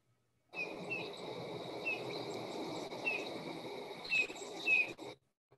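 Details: Eurasian bullfinch (Pyrrhula pyrrhula) call, a sound more often heard than the bird is seen: five or six soft, low, piping whistles, each slightly falling, spaced about a second apart over a steady background hiss.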